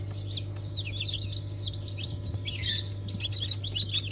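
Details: A hatch of Ottoman Sultan, Cream Legbar and Ameraucana chicks, 20 November 2023: a dense chorus of shrill peeps, louder and more frantic after the midpoint, with a constant low drone beneath.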